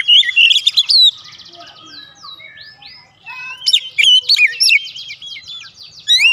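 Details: Lure song of a white-rumped shama: loud sharp chirps, then softer descending slurred whistles and a buzzy trill, followed by another fast burst of varied high notes.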